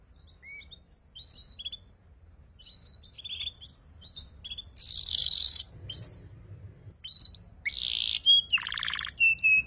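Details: Young caged canary learning to sing in the ngeriwik style, used as a lure and tutor for magpie-robins and white-rumped shamas: scattered high whistled notes and short rising slurs, with two harsh buzzy bursts and gaps between phrases.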